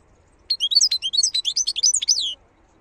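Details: Wild European goldfinch song: an unbroken two-second phrase of quick, liquid, high notes sliding up and down in a tinkling jumble, against a quiet background.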